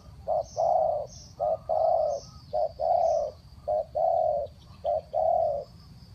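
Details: Spotted dove decoy calling to wild birds: low mellow coos in a regular pattern, each short note followed by a longer one, about five pairs, with a faint high tone and other distant chirps.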